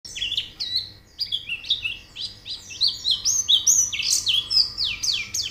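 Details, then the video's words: White-eye song used as training audio to get birds singing quickly: rapid, high twittering of short downslurred and upswept notes, about four per second, with a faint low hum beneath. "Terapi Pleci Cepat Gacor Buka Paruh"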